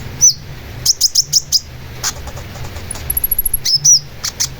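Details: Long-tailed shrike in full song for bird training: a dense string of sharp high chirps, then a quick run of tiny ticking notes and more piercing slurred calls, over faint low rumble.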